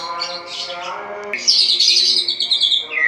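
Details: Caged white-rumped shama at dawn, ngeplong style: soft murmuring phrases, then a sudden loud, high, sustained whistled trill sliding downward, over a steady tonal hum.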